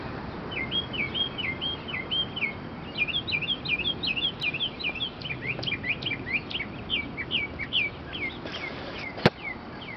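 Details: Wild bird singing close by early in the morning in a residential neighborhood on 18th St, Arlington, Virginia, April 9th, 2011: fast trilled phrase of repeated high two-part notes, then a string of sharp downslurred chips, with low background rumble and one click.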